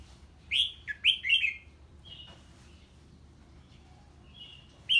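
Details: Red-whiskered bulbul singing in reply to a strange bird: a quick cluster of three or four slurred whistles, then quieter scattered notes and one more loud whistle at the close.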